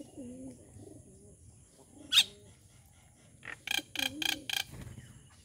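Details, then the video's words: Wild rufous treepie at morning feeding time at a home, giving a run of four loud, harsh, broadband notes in quick succession, with a soft low dove coo heard earlier and a sharp click. "What is the sound of rufous Treepie"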